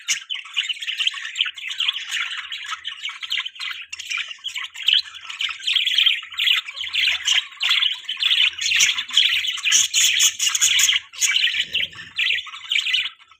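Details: Budgie parents feed their baby in the morning amid continuous bright twittering and chirps, about two notes per second, growing busier toward the end, with a short low rustle late on.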